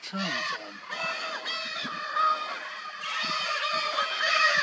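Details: Wild Lear's macaws in Brazil near a mating pair and a young bird on a ledge: dense, grating squawks from several birds overlapping, with a man's brief speech at the start.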